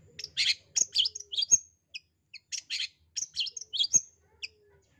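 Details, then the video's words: Long-tailed shrike calling to get a shy or lazy shrike singing: bursts of harsh, rasping notes mixed with sharp chirps, in groups separated by short silences, with occasional faint clicks. "Burung Pentet memanggil untuk Cendet yang MALU atau Malas bunyi"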